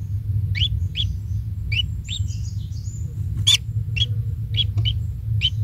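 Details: At the nest a small kingfisher chick, fed insects by its parent, gives crisp upward-flicking chirps about every half second, plus one louder sharp burst, thin high whistles and a heavy low rumble throughout.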